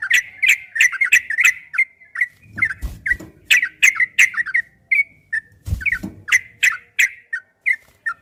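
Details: Fast ropel-style song of a yellow-vented bulbul, made to get caged bulbuls singing back: quick chirpy phrases in repeated bursts, with loud rattling knocks around three and six seconds.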